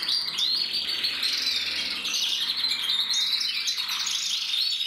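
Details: Canary male, red-black mosaic, 2024 breeding; dense nonstop twittering song of quick rolling trills and sweeping whistled notes, very high and even in loudness.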